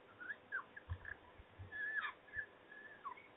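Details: Peregrine falcons at the nest during feeding at supper time in Trzebież, dated 17-05-21: thin, high, whistled calls repeated irregularly, mixed with dull thumps and knocks from movement at the nest.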